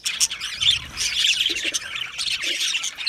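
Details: Australian budgies in an aviary keep up a dense, high chattering of overlapping chirps and squawky notes, with brief louder bursts and no pauses across the short stretch.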